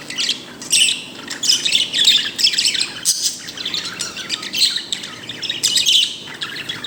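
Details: Pet bird giving a happy sound, a busy stream of high chirps, squeaky twitters and a few harsher squawky notes in overlapping bursts, with a short pause near the middle.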